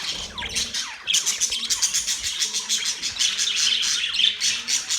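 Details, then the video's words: Budgie mating song: after a short pause, a steady stream of fast, buzzy chirps and warbled squeaks runs without a break, with faint low, steady tones beneath. "Budgies singing | Budgies mating sounds | Budgies chirping sounds"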